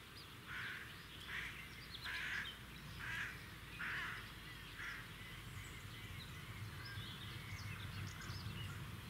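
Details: Red-backed shrike at its nest in the wild beside a road: harsh, grating chattering notes repeated roughly once a second for about five seconds, then fainter scattered notes over a steady low rumble.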